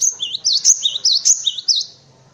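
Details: Clear, loud song of a cinereous tit, meant for tutoring white-eyes and other birds: high whistled two-part phrases, dropping then rising, repeated steadily for about two seconds before fading.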